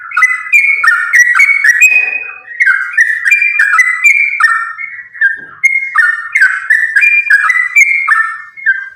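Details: Sooty-headed bulbul in chatty, fighting-style continuous song, used as a lure to make other sooty-headed bulbuls sing: dense, bubbly whistled phrases of rapid rising and falling notes, pouring out almost without pause, with brief harsher chatter near the second second.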